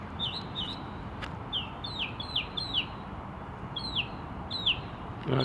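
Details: Bird in a tree giving sharp, high, downslurred chirps, single or in quick pairs, about eight in all at irregular gaps, over a steady low background hiss.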